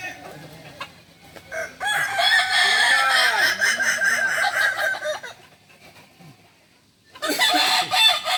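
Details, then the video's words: Kukuak Balenggek chickens at a joint crowing practice in Ampang Kualo, Kota Solok: a long harmonic crow of about three seconds with wavering, stepped notes, a quiet gap, then another crow begins. "latihan bersama ayam kukuak balenggek (akb) ampang kualo kota solok"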